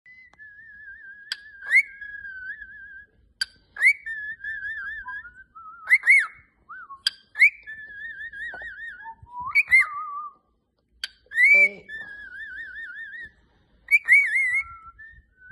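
A cockatiel sings a warbling whistled phrase, repeated in bursts with sharp upward chirps between.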